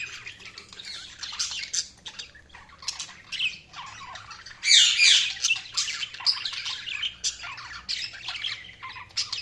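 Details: Budgerigars chirping in continuous high chatter of twittering, scratchy and whistled notes, with a louder burst of squawking near the middle and a faint low hum behind.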